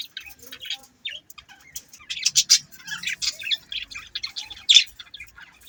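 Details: Several budgies chatter continuously, a run of short chirps, squeaks and scratchy warbled notes rising in loudness toward the middle and ending with one sharp chirp.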